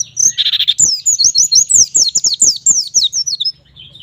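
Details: White-eye song used to train young captive white-eyes to sing: a rapid, continuous stream of high twittering notes with quick sweeping phrases, preceded by a brief buzzy burst, lasting about three seconds before ending.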